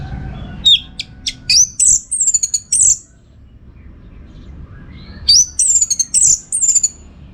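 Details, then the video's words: An orange-headed thrush (anis merah) in a master song recording for training competition birds sings two bursts of rich, high whistled and chattering phrases with quick varied notes, separated by a few seconds of quiet. "Masteran ANIS MERAH Gacor"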